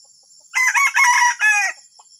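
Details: Junglefowl giving a strange call: three harsh, rough, drawn-out syllables in quick succession, the middle one longest, over a steady high insect drone.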